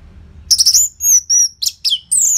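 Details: Orange-headed thrush singing loudly and continuously with short pauses, a recording for luring and tutoring caged birds: a high rattling burst, then clear whistles, a rising-falling note and scratchy notes, in quiet surroundings.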